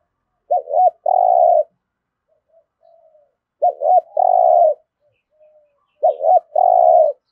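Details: Spotted dove challenge cooing in the full 'thổ' style, meant to make fresh wild-caught birds call quickly; three phrases roughly every 2.7 seconds, each two quick hooting notes and a long mellow coo, with soft low coos in between.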